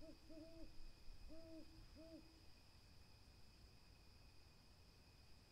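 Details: Owl hooting: a short series of low, hollow, slightly arched hoots, four notes in roughly two seconds, followed by steady faint background hiss and a constant high electronic whine.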